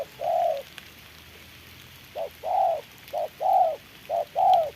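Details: A decoy spotted dove used for trapping, fighting a wild bird in rainy conditions, delivers a long coo, then three rapid pairs of a short note followed by a longer rounded coo.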